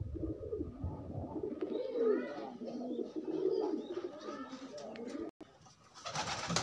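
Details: Unconfined pigeons pairing up: deep throaty coos swelling and fading in rounded phrases for about five seconds, then a sudden cut and a burst of broadband noise.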